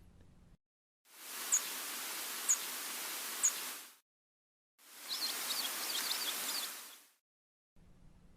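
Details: American Tree Sparrow in late fall or early winter around Helena, Montana, in a flock feeding in weedy seed patches, giving three sharp, very high tip calls about a second apart, nearly buried in a steady rushing hiss.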